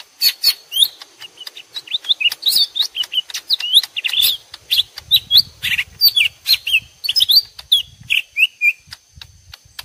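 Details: Two lesser green leafbirds calling back and forth as though in a fight, combined for use as a trapping lure; a dense, rapid stream of sharp chirps, slurred whistles and buzzy notes, with faint low rumbling in the background.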